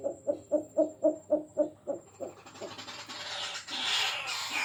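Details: Bird called Jujuk or Tatapaian in the local language, giving about eight evenly spaced hollow hooting notes, roughly four per second, fading out after two seconds, then broadband rustling noise.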